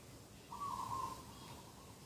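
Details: Dove cooing in a morning garden on 2 October 2021, a single steady mid-pitched note lasting about half a second over a quiet background hiss.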